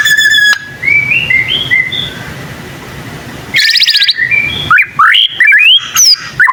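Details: Young white-rumped shama practising song that reportedly draws answers from other shamas; a soft series of thin rising whistles, then a quick buzzy high trill and louder slurred whistled notes, with faint background hiss.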